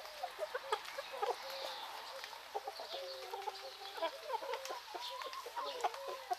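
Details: Hens and roosters in Greek nature in the morning: continuous low clucking from several birds, with some drawn-out notes. Bright chirping from wild birds runs throughout.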